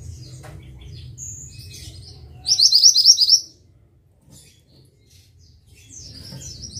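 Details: Mantenan bird giving a brief burst of fast, high, buzzy trilled notes lasting under a second, with scattered faint chirps before and after and a low background hum.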